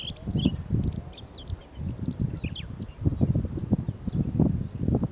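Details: July 2020 recording of a Siberian rubythroat: a burst of bright, twisting high whistles and chirps in the first two seconds, then fainter notes, all over heavy low-pitched rumble.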